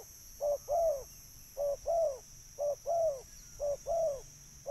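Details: Spotted dove call for luring birds, four regular pairs of low coos, a quick note then a fuller falling one, about every second, with a continuous high-pitched hum behind.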